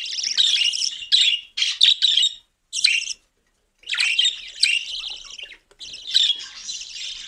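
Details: A cockatiel chatters in quick bursts of high, scratchy chirps and squawks, broken by short pauses and then longer runs of warbling chatter.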